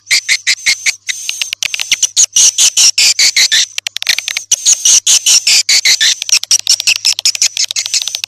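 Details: Call for luring swiftlets: a fast stream of sharp clicking chirps blended with a thin, high ringing tone, dense and continuous for eight seconds with only small irregular breaks.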